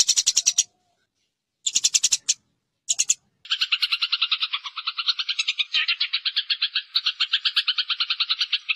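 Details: Eurasian tree sparrow fighting call, recorded as master material for training competition birds: short bursts of rapid, dry chirps separated by pauses, then a long unbroken chattering rattle of fast, evenly pulsed notes.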